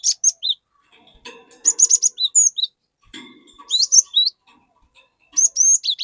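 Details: Cinereous tit song used as a lure so another tit will sing: dense runs of high whistled notes and upward slurs, repeated in several phrases, with a brief low rustle in the middle.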